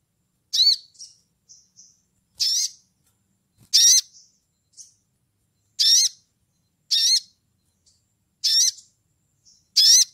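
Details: Sunda bush warbler (sogon), a lively ngleper-style caller calling to a rival, gives sharp high sweeping notes in short bursts about every one to one and a half seconds, with faint soft whistles between them.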